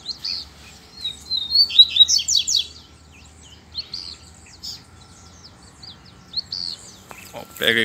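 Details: Double-collared seedeater song during a singing dispute with a free-flying male: an energetic high twittering phrase of quick slurred whistles over about three seconds, followed by softer scattered notes and a brief closing burst.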